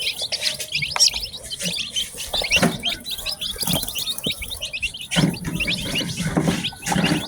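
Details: A batch of newly hatched chicks, ten of them, on a farm, chirping all at once: a dense, constant chatter of high, thin peeps overlapping without pause, with soft rustling and patter underneath.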